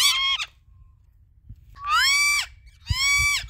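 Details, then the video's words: Talking Indian ringneck parakeet uttering three drawn-out, voice-like, harmonic syllables, each swelling and falling in pitch, separated by short pauses with faint low knocking between. "Talking Indian Ringneck Parrot"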